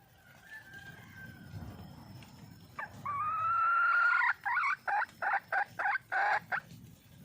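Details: Wild red junglefowl hen calling for a male: after a faint hum, a loud drawn-out note of about one and a half seconds breaks into seven short, rapid, evenly spaced clucking pulses, then quiet.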